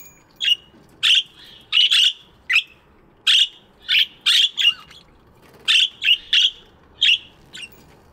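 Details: Several budgies chirping in an aviary in the morning, dense loud scratchy chirps tumbling in quick succession, often in pairs or threes, barely pausing.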